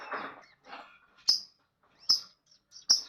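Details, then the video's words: Lovebird chatter: soft raspy murmuring notes followed by three sharp high-pitched shrieks spaced under a second apart, repeated fairly regularly. "Ocehan Burung Lovebird"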